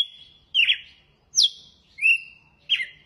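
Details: Red-cowled cardinal singing in the açoite style: clear whistled notes, some sliding down and then holding steady, others rising, spaced by short pauses of about half a second to a second, over a quiet background.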